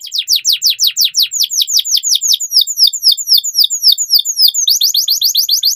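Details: Young canary in a lively, long training song: rapid series of high downward-sweeping notes, slowing into clipped chips midway, then a thin fast trill at the close.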